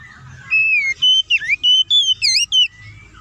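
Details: Oriental magpie-robin singing a short, loud phrase of clear whistles, V-shaped slurs and a bright rising flourish, about eight notes in under three seconds; meant to provoke other magpie-robins.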